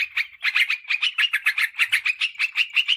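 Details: Sooty-headed bulbul lure call, used to draw wild birds in forest or garden and to tutor caged birds; rapid bright chattering notes in quick bursts, about five per second, steady and loud throughout.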